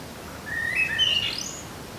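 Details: Common blackbird singing among garden birds: a single short phrase opening with low, fluty, level whistles that climb into a brief high, thin twitter, against a quiet background hiss.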